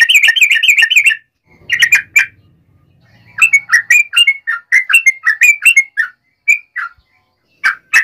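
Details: Yellow-vented bulbul in a repetitive fighting song aimed at provoking other bulbuls, a fast rolling burst of bubbly notes, then scattered phrases and a long run of liquid, chattering whistles, with a faint low rumble in the background.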